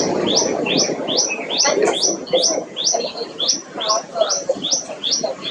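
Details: Tailorbird, a common bird of parks, gardens and wooded areas across South and Southeast Asia, giving loud repeated high notes about twice per second, each sharply dropping, over a dense rumbling background noise.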